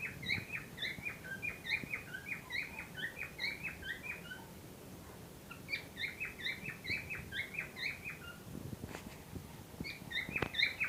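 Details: Breeding-ready pair of cockatiels giving quick, tonal chirps in rapid clusters of several notes, then brief lulls, with a few faint clicks and a low steady room hum underneath.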